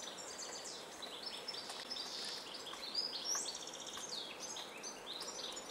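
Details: A flock of European goldfinches feeding at a nyjer seed feeder during a blizzard gives a steady stream of thin, tinkling twitters and chirps, several birds overlapping at a quick pace over a soft background hiss.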